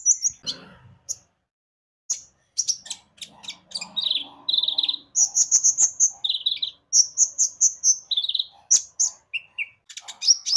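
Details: Javan white-eye chattering song used as a lure to prompt other birds to sing: quick high chirps grouped in fast bursts, speeding into a dense, lively run of repeated notes toward the end.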